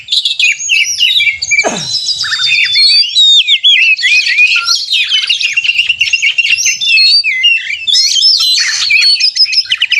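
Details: Agitated 'narung' fighting song of an Oriental magpie-robin, meant to goad rivals into singing; a steep falling sweep near the start, then dense bright whistled phrases, buzzy trills and quick chirps without pause.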